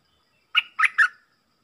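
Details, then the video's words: Stripe-throated bulbul delivering three quick, throaty warbled notes in a short bouncing phrase, mid-pitched and clear, against silence. "เสียงต่อนกดอกแตงEp.99 เปิดดอกเน้นๆ"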